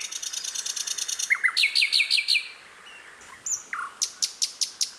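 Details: Wild sikatan londo flycatcher: a rapid high rattling trill, then short falling notes and paired chirps, a pause, and evenly spaced bright high chips repeated about every quarter second.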